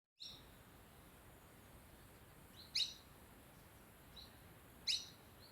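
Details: Sunbird calling near a homestay in Dehradun, Uttarakhand: two sharp, very high thin chirps about two seconds apart, with fainter chirps between, over quiet background hiss.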